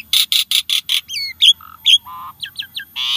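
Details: A starling sings in a recording meant to get caged birds singing. It opens with five loud harsh rasps at an even pace, then whistled slurs, a low buzzy note and scattered chirps.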